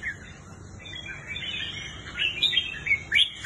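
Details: Red-whiskered bulbul, a kept bird offered for sale, sings quiet warbled notes that build into louder, liquid whistled phrases with sharp upward flicks near the end, over a low background hum.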